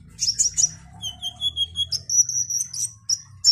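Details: Olive-backed sunbird singing: three buzzy trill bursts, then a row of evenly spaced level piping notes, then one long sustained high whistled note and a final sharp chip, with a low hum beneath.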